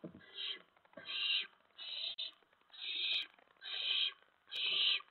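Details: Owlets in a nest after midnight on 10 September 2017, food being delivered; six drawn-out rasping hisses, each about half a second, separated by short quiet gaps, with light shuffling.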